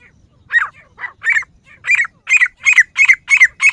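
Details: Female grey francolin (teetar) calling: a series of harsh, squawking notes repeated about three times per second, growing louder and more even as the series builds, in quiet surroundings.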